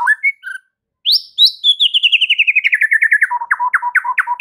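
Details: Caged white-rumped shama master song for training birds: a few short whistled notes, then a long rapid series of chipping notes that descends steadily in pitch and ends in quick low repeated notes.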